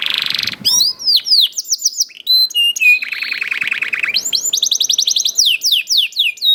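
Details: Young canary lure song to make other canaries sing: a buzzy opening, swooping chirps, a low buzzy roll, then a quick high trill and more chirps.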